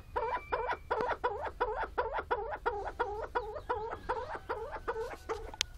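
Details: A willow grouse ready to mate gives a steady run of about sixteen nasal, clucking barks, roughly three a second, with a faint low hum beneath.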